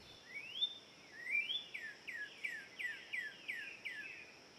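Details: Northern Cardinal song in Forest Park, St. Louis: two long rising whistles, then a quickening run of about eight clear downslurred notes, over a steady high insect drone. Northern Cardinal.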